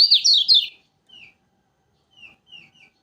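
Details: Lombok yellow flowerpecker song, used as a training lure: a brief loud run of high zigzag chirps, followed by a few soft, separate downslurred notes spaced about half a second apart.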